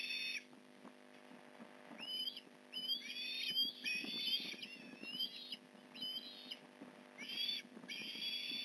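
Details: Osprey calling around a fish delivery at the Port Lincoln nest, 8:24am, 15 November 2019: excited high whistled chirps in irregular bursts, slurred upward and downward, with soft clattering sounds underneath.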